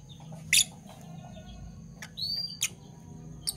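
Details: Morning chirping from kept Fischer's lovebirds, parblue violet and parblue turquoise forms: scattered sharp high squeaks and a short whistled upslurred note, spaced irregularly, with a steady low hum behind.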